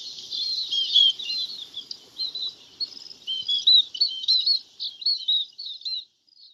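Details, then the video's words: A flock of munias calling to gather: dense, overlapping high, thin chirps and short trills chatter almost without pause, building to busier bursts in the middle before fading out at the end. "Tiếng chim ri gọi đàn"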